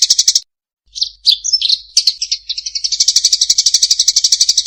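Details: Eurasian tree sparrow during a fight: a few fast chirps, a pause, then twisting, squeaky, warbled notes that build into a steady rapid chatter of high chirps.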